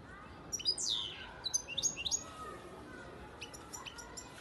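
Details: Song of a European goldfinch, a young bird hatched in 2019, from Antalya, Turkey. It opens with bright descending slurred notes, then liquid twittering phrases, with thinner scattered chirps later and a low hum beneath.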